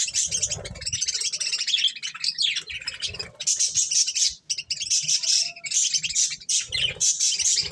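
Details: Budgies enjoying corn keep up a steady, high, buzzy warble with quick chirps and squeaks, continuing with only a brief dip, plus low rustling sounds.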